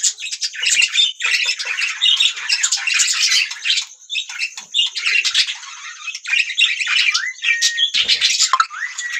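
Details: Rapid, raspy budgie chatter fills the air with dense high chirps and squeaks, ending with a few upward-sliding whistled notes.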